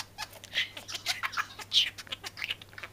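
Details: A talking budgerigar, chattering to its female companion, gives quick, scratchy bursts mixing buzzy squawks with brief high whistled notes several times a second; a faint steady hum runs underneath.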